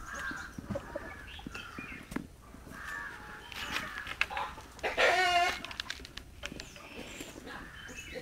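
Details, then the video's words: Rooster among 7-month-old chickens at feeding, hens starting to lay, gives a brief, harsh, strained crow amid soft hen clucks, with a man talking nearby. "Rooster Crowing"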